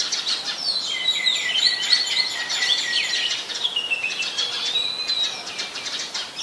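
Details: Oriental magpie-robin at Ubon Ratchathani, Thailand, on 24 December 2020, a very common resident there, captured with a Nikon P1000: sweet whistled warbling with rising and falling slurs, then a long level whistle fading out.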